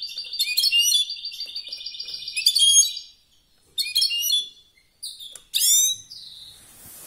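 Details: Competition-singing European goldfinch delivers a fast, liquid twitter of high tinkling notes for three seconds, pauses, then adds two short bright bursts of chirps and buzzy rising flourishes.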